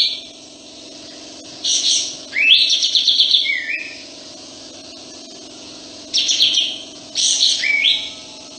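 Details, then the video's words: Sooty-headed bulbul singing steadily with its tail spread: harsh, buzzy high bursts, each running into a short downward-slurred whistle, in two groups separated by a quiet gap of about two seconds, over a constant low hum. "Masteran Kapas Tembak"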